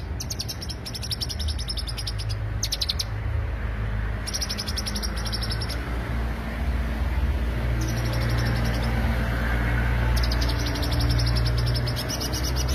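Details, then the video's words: Greater green leafbird lure song heard as separated bursts of fast, high trilled chirping between quieter gaps, with a loud steady low hum beneath. "pancingan suara cucak hijau"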